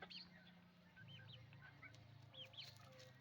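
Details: Roosters and hens on a chicken farm making noise: short, high, arched peeping notes scattered over a steady low humming drone, with a few softer clucks.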